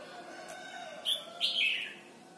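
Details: Red-whiskered bulbul from Thailand singing for training young birds: a sharp whistled note, then a longer rolling warbled phrase sliding downward, over a faint steady low hum.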